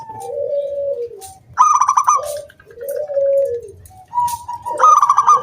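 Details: Local wild zebra dove singing as a lure to make other doves sing: a low, drawn-out falling coo, then a higher crisp trilled note, another soft falling coo, and a rising ringing phrase.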